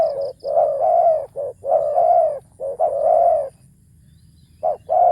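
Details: Spotted dove kept as a decoy for luring, with a big, deep voice in coo-ang-kham style: resonant low coos, short notes then longer rolling ones, a pause, then the phrase starting again.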